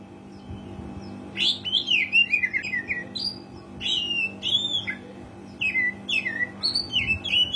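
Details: Oriental magpie-robin used as a lure for birds that seldom sing, delivering separated phrases of clear, descending whistles and quick chirps after a quiet start, over a low electrical-sounding hum.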